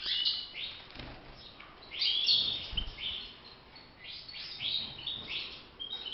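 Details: A caged European goldfinch sings a fast, tinkling twitter of bright chirps and short liquid trills, with brief pauses between bursts, over faint background noise; finding: European goldfinch.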